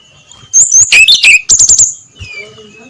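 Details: Brown-chested jungle flycatcher singing in the loud, clear ngeplong style at dawn: a loud burst of rapid, high, clipped whistled notes for about a second and a half, then fainter sliding whistles.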